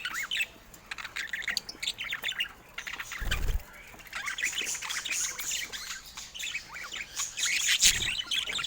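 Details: Several adult budgies, kept as pets in a home, keep up a busy stream of high, chirping warbles and squeaky trills, with occasional low bumps from the birds moving about.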